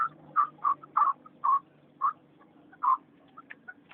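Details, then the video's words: Chakor, or Chukar partridge, recorded April 7, 2012, giving loud separate chuck notes about two or three per second, with softer short notes between them and a low background hum. "Chakor Sound"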